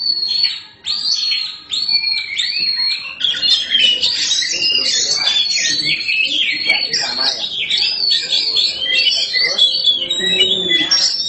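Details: Oriental magpie-robin (black kacer), a kept bird fed crickets, singing loudly and steadily: a dense run of bright whistled and scratchy phrases, rising and falling, with faint voices in the background.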